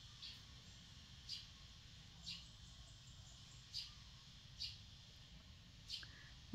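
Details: Bird singing close by at a garden home: a short high clipped note repeated roughly once a second over steady background hiss.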